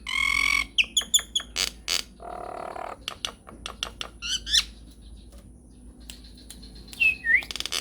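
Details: Nias hill myna in full song with long rolling phrases, used as a prompt recording to make other birds reply: harsh broadband bursts and clicks mixed with clear rising and falling whistles, a nasal buzzy stretch midway, loud then softer.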